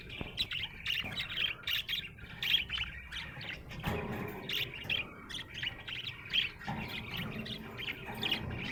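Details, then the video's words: A happy budgie chirps in a lively stream of high, sharp tweets and chattering warbles, several notes each second, with a short lower murmur partway through and a faint steady hum behind. "Happy budgie chirping sound"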